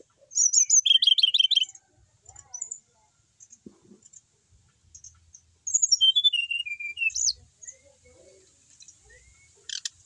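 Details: Kept, well-settled Brown-chested jungle flycatcher from Bali singing vigorously: high, sweet phrases, a quick twittering burst, then a clear whistled run stepping downward, with soft chips between.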